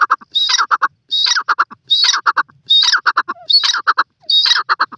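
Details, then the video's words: Teetar, the grey francolin, gives a steady run of ringing phrases, each a high rising shriek then a quick burst of three or four short clipped notes, repeated roughly every 0.8 seconds with no other sounds. "francolin ki boli,partridge ke boli,teetar ke awaaz"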